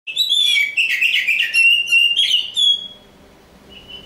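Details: Black oriental magpie-robin (kacer hitam) singing: a loud, rich rush of whistled and chattering phrases for about three seconds, sliding notes mixed with rapid buzzy trills, then fading to a soft thin note.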